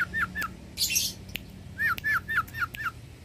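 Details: Long-tailed shrike, a mimic of many birds, singing as a master for songbird training: repeated down-slurred whistles in pairs, broken by one harsh, scratchy burst.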